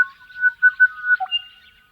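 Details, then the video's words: Crested bellbird in the Australian outback giving rich, resonant ringing whistled notes on a steady pitch, swelling in loudness, ending with a lower liquid note and a brief higher one. "Crested Bellbird Calls - The sounds of a Crested Bellbird in the Australian outback"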